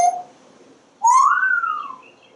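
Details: Parrot on a screened back porch, watching squirrels and birds; a short soft tone, then a clear whistle that rises, holds and slowly falls away over about a second.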